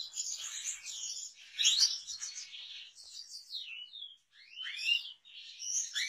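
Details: European goldfinch song, a fast run of liquid twitters, buzzy rattles and rising slurred whistles in bursts, with short pauses between phrases.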